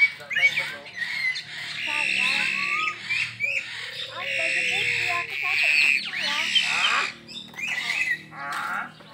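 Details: Crested myna at a zoo park in Perbaungan, described as gacor, singing in full voice: loud harsh squawks and grating notes alternate with short buzzy bursts, coming in dense phrases with brief pauses.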